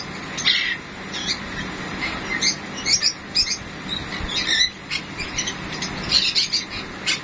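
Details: Sun conure, a golden-yellow parrot native to northeastern South America, calling during mating: short high chirps and squeaks in quick irregular bursts over a steady background hiss.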